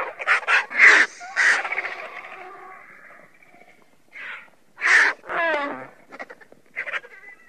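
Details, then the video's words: Griffon vultures (Gyps fulvus) give harsh, raspy hisses and cackles in short bursts, then a strained, wavering squeal that drops in pitch near the end. "Sęp. Odgłosy Sępa. Dźwięki jakie wydają Sępy"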